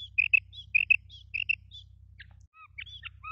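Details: Female quail hunting call: high, clipped double chirps about every half second, then a few scattered squeaky notes, over a low steady mechanical hum.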